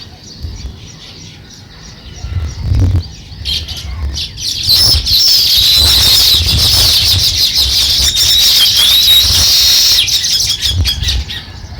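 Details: Sparrow starting to build a nest: a few scattered chirps and low thumps give way to a loud, sustained wash of high chirping and squeaks.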